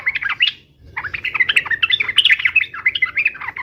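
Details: Yellow-vented bulbul in 'uplik-uplik' fighting song, meant to make other bulbuls answer at once: a dense, lively run of bubbly, chattering whistled notes with rapid up-and-down slurs, briefly pausing near the start, then continuing without break.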